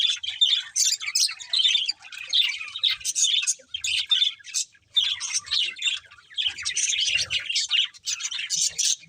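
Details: Budgies chirping in bursts of fast warbled twitter and squeaky notes separated by short quiet gaps, the phrases lasting one to two seconds each.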